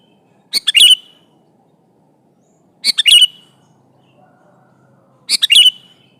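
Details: Sooty-headed bulbul in lively song calling an opponent, used to draw other bulbuls into responding: a cheerful three-part phrase of quick bubbly whistled notes repeated three times at regular intervals of about two and a half seconds.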